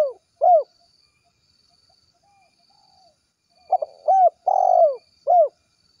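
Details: Spotted dove delivering its 'kuk 1' gacor call to its companions: scattered hollow hoots, then a stuttering burst, a clear hoot, a long rough descending coo and a final hoot, in a quiet setting.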